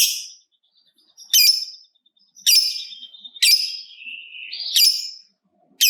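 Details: Lovebird, heard as a prompt for other lovebirds to sing, utters loud, harsh, rasping shrieks about once a second, each followed by a thinner trailing whistled note.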